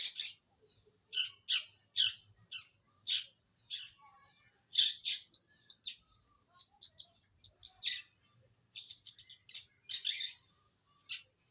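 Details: Early attempts at song by a young wild-caught long-tailed shrike: a varied string of sharp, high chirps and scratchy twitters, delivered in irregular bursts with short quiet gaps.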